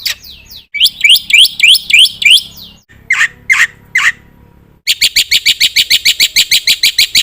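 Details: Black-winged myna giving rising squawking notes in a quick sequence, a few separate harsh calls, then a long run of rapid clipped chirps.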